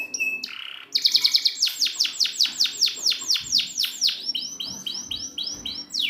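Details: Canary song made as a training recording for canaries that won't sing: a short whistle, then long rapid trills of high, repeated down-sweeping notes, about six per second, ending in slower rolling notes.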